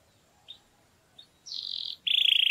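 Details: Canary singing to stimulate females for breeding: two faint short chirps, then a loud sustained trill and a rapid pulsed rattle.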